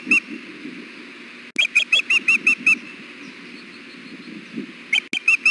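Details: Osprey female on her nest at Hellgate, fussing for food in June heat. A single chirp opens, then seven rapid high whistled chips, a pause, and four more. Steady low rumble underneath.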